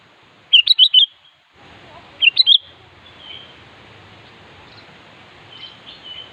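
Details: Sooty-headed bulbul calling a rival: two bubbly whistled phrases, then fainter notes beneath steady background hiss.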